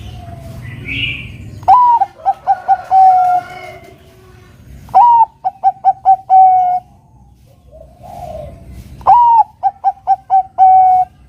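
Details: Zebra dove, Bangkok-type perkutut, singing actively as a lure to provoke a rival into song: three phrases, each a rising opening coo, a quick run of short clipped notes and a long, steady, slightly falling final note. Faint chirps sound between phrases.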